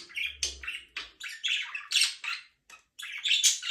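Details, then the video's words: Budgerigar chirping in a steady run of harsh, scratchy chirps and short squawks, closely spaced with only a brief pause near the middle. "budgies parrot chirping sound"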